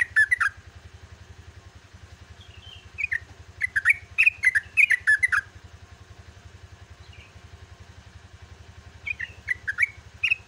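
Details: Yellow-vented bulbul singing at dawn in the 'gacor ropel' style, with spaced phrases of quick, liquid, up-and-down chirps and short gliding whistles between them, while a continuous low mechanical drone fills the background.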